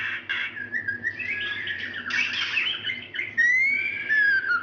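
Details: Calling female White-rumped shama, heard as a lure for males that will not sing; scratchy buzzy notes and wavering whistles in an irregular run, ending with a long smooth rising whistle, over a faint low hum.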